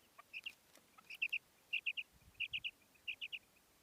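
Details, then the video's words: Female common quail calling: quick three-note bursts repeated five times in under four seconds over a faint hiss, with a few clicking noises at the start. "Female Batair Ki Awaz|Maadi Batair Ki Awaz new| Common Female Quail Calling|New maadi Batair Ki Awaz"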